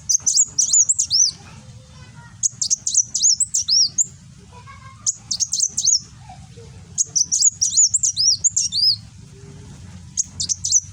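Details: Sunbird in captivity in Gresik, East Java, 'nembak' song used to train cage birds: five energetic bursts of rapid high chips and sweeping whistled slurs, roughly every two seconds, over steady low hum.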